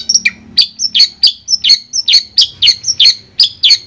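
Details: Long-tailed shrike song used as sound therapy for a caged bird that has stopped singing: high whistled notes alternating with sharp clicking chips, evenly repeated about three times a second.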